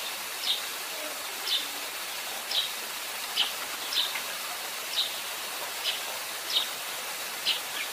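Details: Eurasian tree sparrow calling while preening on a rooftop: short, bright chirps, one roughly every second, over a steady background hiss.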